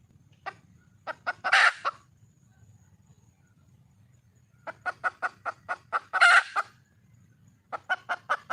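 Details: Wild junglefowl hen of the red species calling for a mate. Clucks build into a harsh squawk, a long silent gap follows, then a quick cluck series, another squawk and a final run of clucks.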